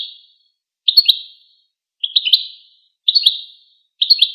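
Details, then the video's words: Goldfinch singing in short, high-pitched twittery bursts of a few quick tinkling notes, spaced about a second apart against a silent background. "Empowering Songs of the Goldfinch"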